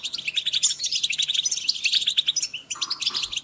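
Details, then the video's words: Several European goldfinches in group calling, used to stimulate other birds: a steady overlapping stream of bright, quick twittering chirps and tinkling notes with no pauses. "Group calls for goldfinch are great for motivating birds"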